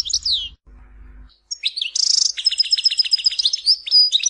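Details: European goldfinch singing, from Tizi Ouzou: a short sweeping twitter, a pause with faint low hum, then a fast run of high liquid chirps broken by a brief buzzy burst, notes tumbling several times a second.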